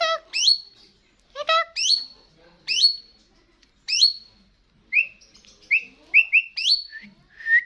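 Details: Starling singing vigorously: a sequence of sharp whistles, each rising steeply then levelling to a high held tone, repeated about every second, mixed with a few nasal harmonic notes and short chirps.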